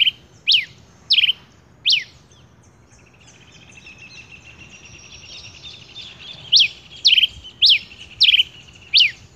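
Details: Three crisp falling whistles from a male rufous-collared sparrow, a lull filled with a faint buzzy background chatter, then five more sharp slurred notes in a regular series.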